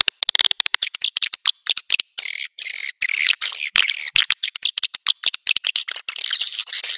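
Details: Swiftlet call of the "Naga Merah" style, used to draw swiftlets to nests: dense, rapid chirps and twitters, high and bright, tumbling in irregular bursts with short gaps.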